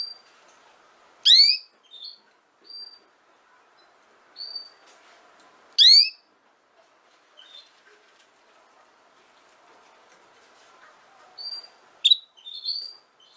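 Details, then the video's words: Female canary vocalising. Short, sharp upward-sweeping chirps sound a few seconds apart, with soft single whistled notes between them, in an otherwise quiet setting. "chant femelle canari - canto fêmea canário"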